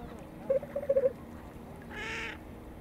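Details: Whooper swans at a marsh pond, filmed in late February around 2 pm, giving a quick run of five nasal honks, followed by a brief burst of broadband noise.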